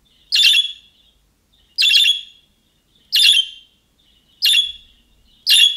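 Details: Budgerigar repeating the calling-type call of young birds, which other budgerigars answer. Five evenly spaced harsh, raspy chirps, roughly one every 1.3 seconds, over clean silence.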